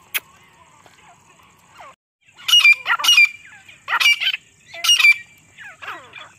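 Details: Female grey partridge calling in jungle, a call used as a hunting lure; loud grating phrases of quick repeated notes in several bursts about a second apart, after a quiet start.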